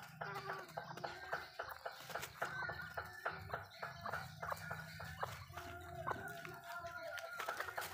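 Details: Malay chickens eating food at home in a backyard, with frequent dry pecking clicks, short clucks and faint chirps over a steady low hum.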